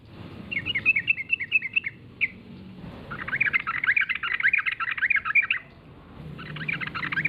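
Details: Yellow-vented bulbul lure sound played to draw replies from other bulbuls: fast bubbly warbling notes in a short run, a pause, then a dense, lively chattering stretch lasting about three seconds, followed by more chatter, with low hum beneath.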